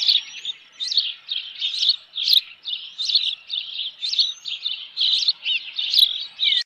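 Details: Osprey alarm at the nest on Dunrovin Ranch, 25 May 2018, with an intruder present: continuous series of high, buzzy chirps and thin whistles, fairly even in loudness.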